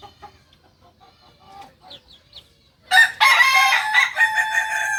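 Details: Kukuak balenggek rooster, a singing chicken breed from Solok, West Sumatra. A few faint, scattered calls come first, then a loud, rich, harmonic crow bursts in near the three-second mark and carries on in uneven, broken segments to the end.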